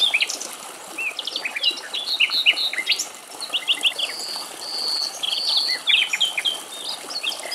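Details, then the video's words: A male European stonechat in Greek nature gives quick scratchy twitters and chirps mixed with a few clear, sustained high whistles in busy bursts, with other small birds possibly joining in, against a faint hiss. "Ευρωπαϊκός Μαυρολαίμης - Αηδόνια Κελάηδημα - European stonechat bird"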